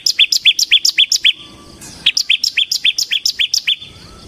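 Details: Bar-winged prinia (ciblek semi) for luring and master training, delivering a quick run of loud clipped high notes, a short break, then another run of around fourteen rapid chips.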